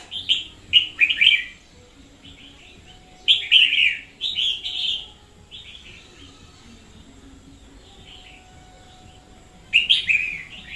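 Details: Red-whiskered bulbul used as a decoy bird, recorded in 2021 singing very energetically: short bright warbled phrases in three bursts separated by pauses of a few seconds, with faint background hum.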